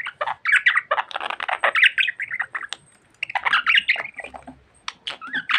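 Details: Pet budgie said to talk a lot, warbling in dense scratchy chatter with twittering whistles, a brief silence midway, then resuming its rapid speech-like babble.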